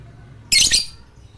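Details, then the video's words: Lovebird used as a lure to prompt silent lovebirds to sing: one brief harsh, high-pitched squawky burst lasting about a third of a second, over faint low background hum. "Pancingan Lovebird Ini Ampuh Untuk Memancing Lovebird Malas Bunyi"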